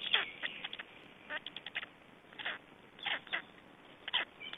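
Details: Begging at a feeding visit by black storks in Estonia, 21 May 2012. Short hoarse, hissing bursts come in loose groups separated by brief pauses. A sharp note opens the sequence.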